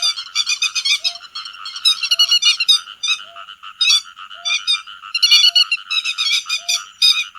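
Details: A chorus of grey-headed lapwings calling the flock, used as a netting lure: dense, buzzy, overlapping calls throughout, and a short lower tone recurring about every second.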